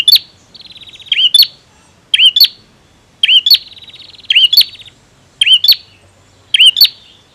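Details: A male bar-winged prinia sings energetically in repeated phrases: a high chattering rattle leads into a sharp, emphatic double chip with a rising twist, then a pause before the next. The setting is quiet.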